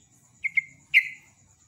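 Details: Trucukan bulbul uttering two short clipped chirps followed by a stronger, longer downslurred note, with a thin constant high tone running behind.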